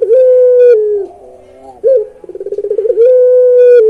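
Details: Barbary dove of the pelung type singing loudly: a long level coo, a pause, then a quick accelerating stutter of pulses running into another sustained tone.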